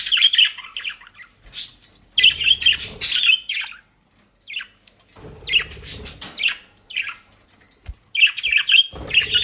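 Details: Loud warbling chatter from pet budgerigars in Den Haag, Netherlands, eating dry leaves and grass: bursts of squeaky, scratchy notes last a second or two, broken by brief silences and low rustling.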